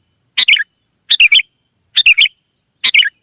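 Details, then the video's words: Sooty-headed bulbul, wild, in lively song: four brisk, bubbly two- or three-part phrases spaced under a second apart, falling slightly at each end, with a thin constant high whine behind. "suara burung gacor kutilang liar auto nyaut"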